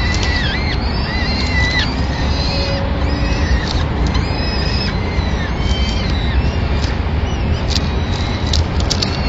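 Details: Peregrine falcon nest in Madrid, 25 April 2016: the female arrives with a pigeon and quietly feeds the chicks while the male leaves. Thin, wavering, bending whistles and squeals come in a loose series, fading later over a persistent low rumble.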